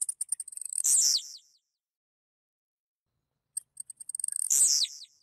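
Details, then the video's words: Two Blue-black Grassquit songs separated by about two seconds of quiet, each made of rapid high clicks that build into a loud, harsh, descending buzz. "Tizil Cantando"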